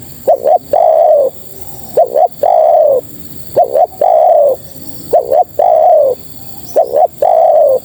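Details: Spotted dove hen calling males: repeated three-part coos, a brief double note then a longer falling coo, cycling steadily about every one and a half seconds, with constant hiss behind.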